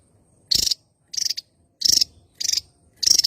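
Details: Javan tesia, endemic to Java island, in active song: five rapid pulsed, buzzy, high rattling bursts about every two-thirds of a second, each burst made of several quick clipped notes.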